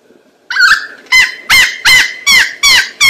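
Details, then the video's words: A lyrebird, a mimic that imitates sounds to court the female, gives about seven loud, harsh, ringing notes roughly every half second over a steady high whistled tone, as mating display. "The sound of a rabble harp imitates all sounds to court the female, rattle harp mating"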